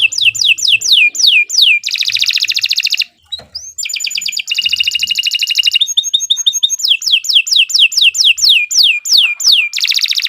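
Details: Canary song used as a master recording for training other birds: long, loud, shrill run of rapid descending whistled sweeps, buzzy rolled trills and sharp repeated notes, switching phrases every second or two, with a short pause near the third second.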